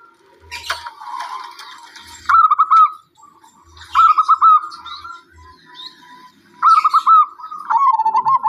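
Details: Zebra dove uttering short bursts of quick, rolling coos separated by quieter stretches, with a brief rustling noise at the start and soft low knocking sounds.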